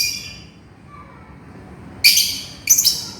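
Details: Lovebird calls to its companion, a harsh high shriek fading at the start, a quiet pause, then two loud rasping screeches in quick succession.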